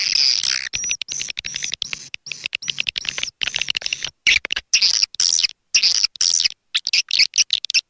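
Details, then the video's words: Swiftlets calling in a recording made to attract them: high, continuous, rapid chittering trills, repeated in bursts with brief gaps. "SUARA PANGGIL WALET"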